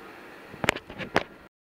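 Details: Pet male Black-capped Lory practicing saying his own name: two quick, harsh, voice-like syllables about half a second apart over a low, steady room hum.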